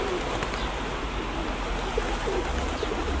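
A pigeon gives low, soft throaty coos in short bursts over a steady rumble of background noise.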